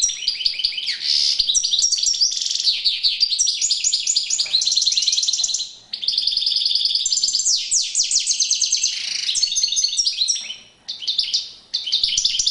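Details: European goldfinch singing during courtship display: a dense, unbroken run of high, bright twittering and liquid trills, rapid buzzy notes tumbling together, with brief dips near six and eleven seconds before the song resumes.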